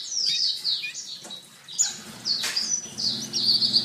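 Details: Canary master song: high sweeping whistles and short trills in bursts, with a brief sharp burst midway and a faint low hum underneath.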